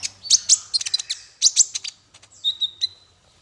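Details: Masteran song meant to teach small fighter birds: sharp high chattering notes in quick clusters, ending in a long thin steady whistle broken by clicks.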